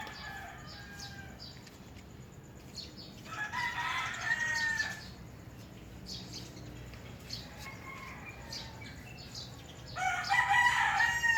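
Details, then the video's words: Roosters crowing in the morning, distant and faint: drawn-out harmonic crows rise out of a background of chirping birds and steady ambient noise, with one crow near the middle and another at the end. "Roosters Crowing and Birds Chirping Sounds"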